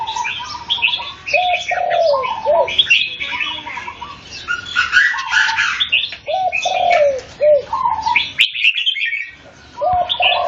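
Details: Red-whiskered bulbul singing while competing against another bird: short, warbled, slurred phrases at middle pitch, repeated in bursts, mixed with many high, sharp chirps and clicks from other birds, with a brief quiet gap near the end.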